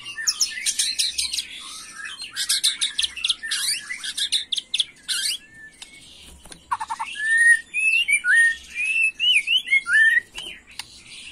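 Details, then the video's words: Young white-rumped shama singing in agitated 'macul' style: bursts of buzzy, rattling chatter, a pause, then clear loud whistled notes and quick slurred fluty phrases. "Murai Batu emosi Gaya MACUL‼️pancing emosi BuruNG Muda"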